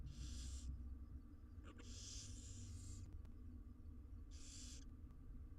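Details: Wild barn owl nestlings, six of them in a monitored nest box in Israel, hiss for food while being fed; three strong rasping bursts about two seconds apart, plus faint taps, over steady low hum.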